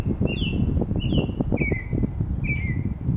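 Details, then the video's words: Northern mockingbird in a neighborhood, recorded on a camera rested on a car: four clear slurred whistles, each falling slightly, repeated about every second, with strong low wind rumble underneath. "Northern Mockingbird"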